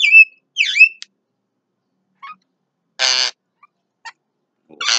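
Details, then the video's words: Javan myna singing at midday: two clear whistled, down-slurred notes open the clip, followed by a click, soft scattered ticks and two loud harsh rasping bursts near the middle and end. "JALAK KEBO SIANG HARI"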